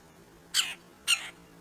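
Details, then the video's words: Two red-breasted woodpeckers at a squirrel feeder; two coarse, squawking notes roughly half a second apart, then quiet with a low steady hum. "Two Red Breasted Woodpeckers at the squirrel feeder"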